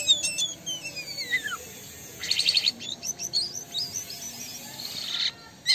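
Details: Black-winged starling, Indonesian jalak kapas, in lively full song: loud descending whistled slurs, a burst of sharp repeated chirps, then a run of varied high warbled notes and squeaks.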